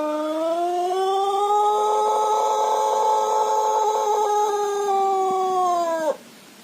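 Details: Long crow of a Plered Pelung rooster from Purwakarta Regency: one even, ringing note, slightly rising then held for about six seconds, dropping sharply at the end before quiet.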